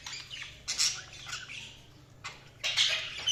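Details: Budgerigars giving loud, harsh, buzzy squawking bursts separated by softer scratchy chatter, with an abrupt burst at the close.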